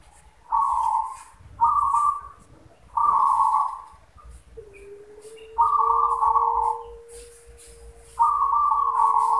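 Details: Local zebra dove (perkutut) song: repeated rolling coos at a level mid pitch, each about a second long, separated by short gaps, with a long thin steady whistle-like tone running underneath in the middle.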